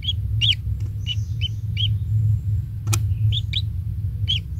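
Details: Young kingfisher at the nest fed insects by its parent: bright short chirps repeated at uneven intervals, one sharp click-like crack midway, and a steady deep rumble in the background.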